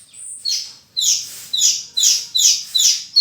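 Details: Horsfield's bush lark opening with a thin very high whistle, then giving loud high notes in paired pitches, roughly two to three per second, bright and ringing.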